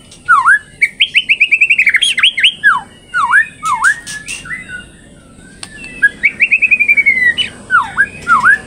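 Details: Captive-bred third-generation straw-headed bulbul, singing actively and described as richly filled with learned song material: rapid runs of rising whistled notes alternate with sharp downslurred V-shaped whistles, a pause midway, then another run of repeated notes.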